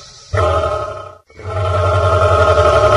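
A cassowary gives a deep, throaty rumble with a pulsing, growl-like texture, broken by one brief pause before it resumes.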